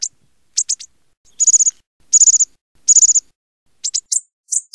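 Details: American bushtit calling with short, very high downward chips, then three rapid trilled bursts about a second apart, followed by more thin chips.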